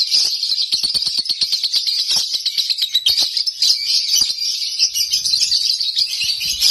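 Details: Lovebird kept at home singing nonstop, a dense continuous stream of high chattering and squeaky twitters with rapid clicks, barely pausing across the whole stretch.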